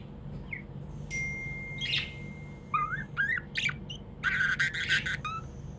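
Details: Happy pet budgerigar sounds: a few rising chirps and squeaks, then a dense buzzy chattering burst, mixed with a thin steady high tone and a low background hum.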